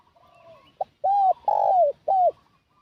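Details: Decoy call of a spotted dove used to attract wild doves, a faint drawn coo then a clipped note and three loud arched coos, the long middle coo sliding downward.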